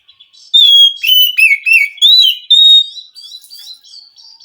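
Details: Wild Oriental magpie-robin from the forest, singing back to a caged bird that is reluctant to sing: loud, clear whistled phrases that dip and rise, then trail off into quieter, thin high notes.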